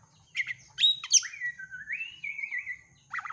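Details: Oriental magpie-robin, a champion competition bird in active song, used as bait to set other magpie-robins singing: varied loud whistles and sharp slurred notes, then a long smooth whistle rising and falling, ending in a quick burst of notes. A faint low hum sits beneath.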